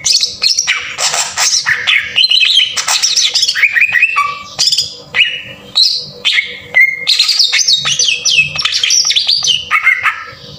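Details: Green leafbird in full rough 'tembakan kasar' song, used as a lure to pump up emotion and make other birds sing: continuous rapid, varied high whistles, slurs and buzzy chatters, tumbling and dense throughout.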